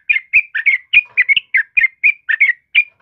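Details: Yellow-vented bulbul in full song for bird tutoring: quick bubbly chirps, roughly four per second, each a short warbled twist, delivered without pause.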